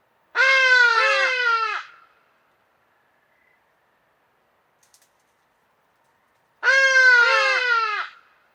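Hadada ibis gives two loud, harsh, trumpeting bursts, each a quick run of four or five falling 'haa-haa' notes, with silence between.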